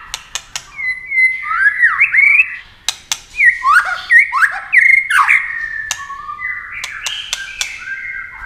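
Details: White-rumped shama singing in competition at speed with wing flashes and tail play: clicking notes, then clusters of falling and rising whistled phrases and softer chatter.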